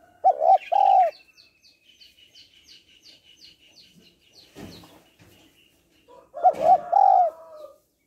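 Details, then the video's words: Female spotted dove calling to stimulate males: two short bursts of low, rolling hooted coos, one at the start and one near the end, with a smaller bird's high, thin repeated chirps in the quiet stretch between. "Cu gáy mái kích trống/ tiếng cu gáy mái kích trống hay"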